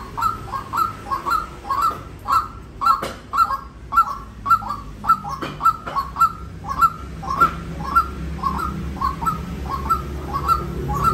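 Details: Long, insistent series of hoarse clipped notes from a white-breasted waterhen, evenly paced near two per second, with a few sharp clicks and a low droning background.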